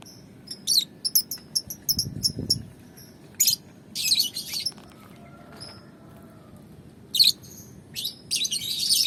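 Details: Lovebirds of the Balibu type being sunned outdoors; very high, sharp clicking chirps come in short rapid bursts and scattered clusters over a low background hum.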